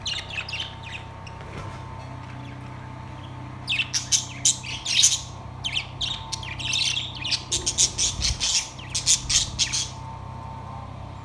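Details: Budgerigars, Australian parrots kept in a cage, recorded September 3, 2023: a quiet hum at first, then after a few seconds a dense run of rapid, scratchy chirps and squawks that carries on to the end.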